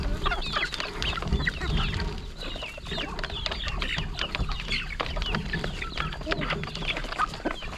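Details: Flock of hungry chickens gathering at their first meal of the day during a morning feeding in the countryside, pecking and clucking; dense overlapping clucks and short squawks over low rumbling background noise.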